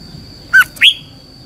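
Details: Red-whiskered bulbul training song, heard here as just two notes, a short falling whistle then a rising, buzzy upslurred note.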